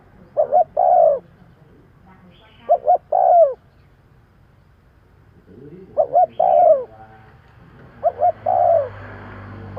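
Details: Spotted dove used to lure birds, repeating a pattern of two clipped coos and a longer descending coo four times, with some background noise near the end.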